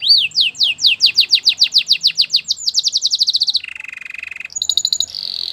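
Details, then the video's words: For canary training, a Belgian canary delivers a string of sweeping whistled notes that accelerate into a fast trill, followed by a low rattling roll and high shimmering notes. "Belgian canary singing"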